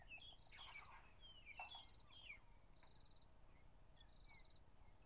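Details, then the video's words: Magpie-shrike (Urolestes melanoleucus) singing on a morning drive on April 15, 2011, possibly a female or juvenile, with four or five calling from scattered spots: clear, fluty whistled phrases with short buzzy notes, repeated several times over an idling engine's low rumble. "Magpie-shrike singing"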